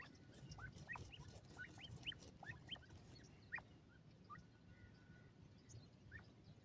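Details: Francolin (teetar) in a forest: a series of short, sharp rising notes, each sweeping quickly upward, with several in the first three seconds and sparser ones after, over a low rumbling background.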